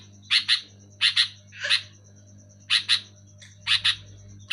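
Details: Sooty-headed bulbul chirping clearly and loudly, short harsh notes mostly in doubled pairs about once a second, with one softer buzzy note and a low droning hum underneath.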